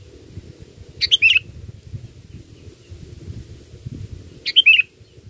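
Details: Sooty-headed bulbul song used as a lure for catching birds: two short bubbly phrases of three or four quick, slurred whistled notes, a few seconds apart, over a low rumble of background noise.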